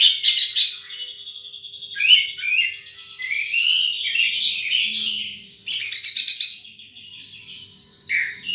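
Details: High, sweet twittering from a wild sunbird: quick chirps, a sustained thin whistle, then rising and falling warbled phrases and a burst of sharp trilled notes.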